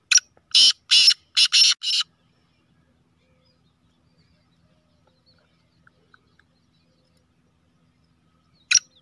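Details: Kala teetar, a black francolin called a speeder and chakri wala, delivers a harsh five-note grating phrase of a short note then four broad rasping notes. A long quiet gap follows, and then a single further short note.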